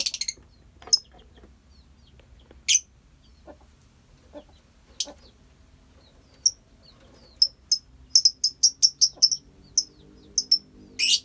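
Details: Lovebird colony with sparse sharp chirps early on, building to a fast run of high, piercing repeated shrieks in the second half, with faint clicks and rustling beneath.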